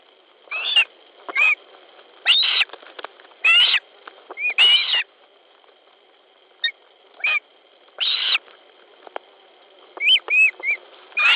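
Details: Ospreys squabbling over a fish at a Latvian nest, evening of 10 July 2013; loud harsh whistled yelps in bursts, some paired, separated by short pauses, over a constant high-pitched hum.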